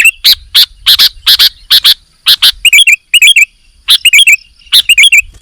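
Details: A sooty-headed bulbul sings energetically, with clusters of sharp clicking notes broken by short, bright, up-curling whistled flourishes in two separate bursts.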